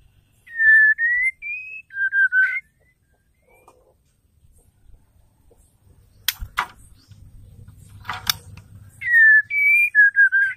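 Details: Female white-rumped shama calling to stir males to sing: a run of pure whistled notes that step up, then down, followed by a quiet gap with a few sharp clicks and knocks, then the same whistled phrase repeated.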